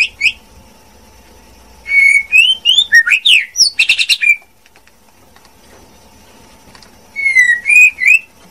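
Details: Female white-rumped shama song in two bouts: a dense sequence of whistled slurs and harsh, buzzy notes, a long silence, then a short phrase of three sweet whistles.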